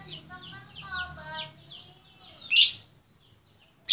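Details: Female lovebird calling to the male: a run of short squeaky chirps with harmonic overtones for about a second and a half, then a thin fading whistle, ending with two loud harsh shrieks.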